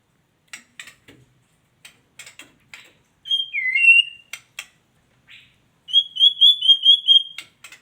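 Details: Female white-rumped shama giving scattered dry clicks and ticks, then a sharp whistled note dropping into a lower slur, followed by a fast run of high, rippling whistled notes near the end.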